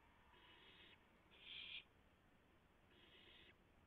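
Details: Owl at the nest at 3:38 AM on 7 April 2016, during a rabbit delivery that the owls fed on in turn; three faint raspy, hissing bursts, the middle one loudest, separated by short pauses.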